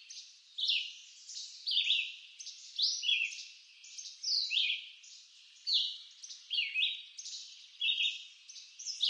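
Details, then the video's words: A Red-eyed Vireo in eastern North American woods sings short, slurred whistled phrases, rising then falling, repeated nearly every second with brief pauses, over faint woodland background noise. "Red-eyed Vireo Bird Song"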